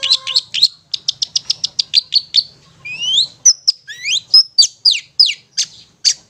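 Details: Long-tailed shrike ngetet song meant to stimulate stressed or silent birds: a quick staccato trill of high notes, then a run of rising whistled slurs and sharp chips.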